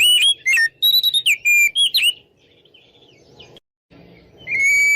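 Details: Oriental magpie-robin singing in the loud, open 'ngeplong' style, used as a lure to provoke rivals into fighting: two seconds of rapid, loud, clear whistled notes, rising and falling, then a quiet pause before a sustained whistle at the end.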